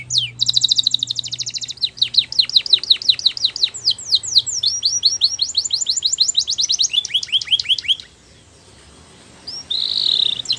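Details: Canary singing, offered for training young canaries. Long varied performance: a buzzing rapid trill, then chains of quick chirped syllables changing tour every few seconds. It pauses near the end, then resumes with a brief high note.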